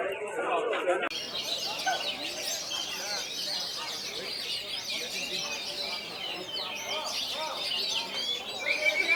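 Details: Oriental magpie-robin singing in a top-class songbird contest: dense, continuous, varied whistled and scratchy warbling phrases, high-pitched, with rapid trills and slurred notes; a burst of noise and voices opens the recording.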